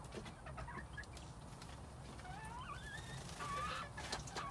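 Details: Quails in spring 2021, with faint chirps early on followed by clear, rising whistled calls, some overlapping, and a longer steady whistle near the end, set against low hum and tapping sounds.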